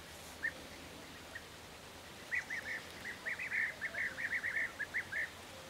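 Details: European bee-eater recorded in May 2023, giving soft rolling trilled calls, a few isolated notes at first, then a quicker string of short burry calls over a steady hiss of background noise.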